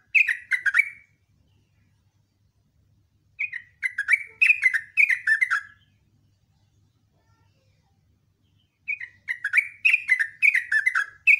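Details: Sooty-headed bulbul in energetic morning ropel song: three bursts of rapid, chattering, falling notes, the last longest, separated by gaps of two to four seconds of near silence.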